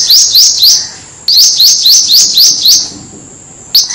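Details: Black-throated Sunbird song for luring birds: bright high upslurred chirps in quick series of three to six, about four per second, broken by short silences, quiet background.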